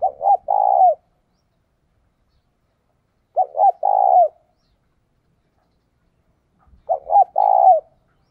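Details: Decoy spotted dove cooing to lure and stir up wild doves: three clear coo phrases, each with two short clipped notes and a longer, slightly falling hoarse coo, repeated about every three seconds in silence.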